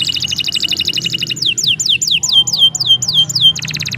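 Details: Canary singing long, continuous song used as a tutor for training other birds. A fast, high rattling trill gives way to a series of sweeping downslurred whistles. A buzzy trill then returns, with a low hum underneath.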